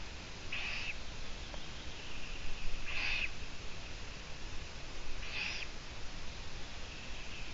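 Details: Long-eared owl on a live stream, 17 June 2017 at 12:14: three hoarse, squeaky rasping calls spaced about two and a half seconds apart, each short and breathy, over steady background hiss.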